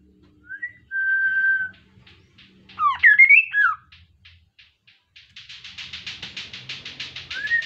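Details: Lively Kaso-kaso song meant as a lure for other birds: a short rising whistle and a held level whistle, a loud phrase of slurred up-and-down whistles, then a long, fast series of buzzy chattering pulses.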